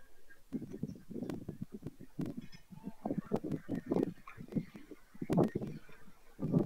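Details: White storks, Madrigal de las Altas Torres, Spain, late July 2024 at season's end: a steady series of short, husky pulses, closely spaced, with scattered sharp clicks.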